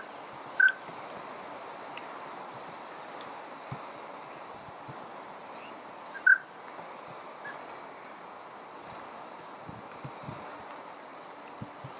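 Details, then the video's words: Yellow-billed Pintail, a South American duck kept outdoors through winter in Europe, giving two brief, clear whistled notes about six seconds apart, over a steady rushing background of wind or distant water. "Yellow-billed Pintail"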